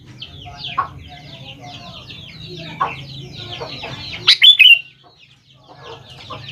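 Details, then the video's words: Sooty-headed bulbul song used as a lure to make young bulbuls respond: a loud burst of bright, clipped whistled notes near the end, over a steady chatter of many descending chirps and a low hum. "BURUNG KUTILANG GACOR | dijamin 100% nyaut GACOR kutilang muda anda"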